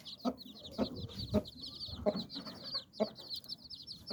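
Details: Hen gathering nine chicks beneath her wings, clucking to warn them or settle them for rest; regular low clucks about twice a second, with continuous high peeps from the chicks.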